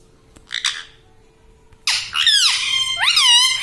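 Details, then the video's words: Pet parrot talking indoors, said to say "Mummy": a few soft, brief chirpy notes, a pause, then loud harsh phrases with strongly bending, rising-and-falling harmonic tones in two bursts. "Parrot talking video Mummy"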